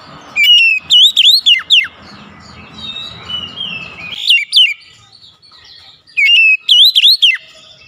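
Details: Recording meant to trigger song in a silent oriental magpie-robin: three bursts of rich whistled song with rising slurs and sharp descending notes, the middle phrase quieter, over light background hiss.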